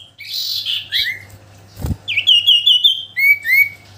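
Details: Song of a kept common iora: a buzzy slurred phrase, a short pause with a thump, then a fast run of bright whistled notes followed by two falling whistles, over a faint low hum.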